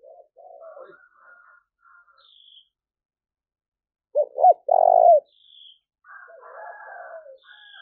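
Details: Spotted dove cooing, played to make newly caught doves bold and quick to coo: faint soft murmured coos at first, then a loud pair of short falling coos and a longer rough hooting phrase, followed by quieter coos.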